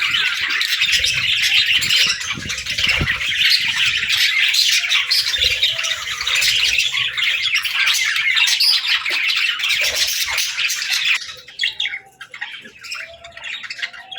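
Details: Several baby budgerigars playing and talking, a dense, continuous warbling chatter of rapid chirps and squawks for about eleven seconds before thinning to scattered softer twitters.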